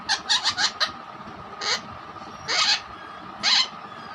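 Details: Pet parrot making different sounds, including hen imitation and whistling: a quick burst of four or five harsh chirps, then three separate raspy squawks about a second apart over a steady low hum.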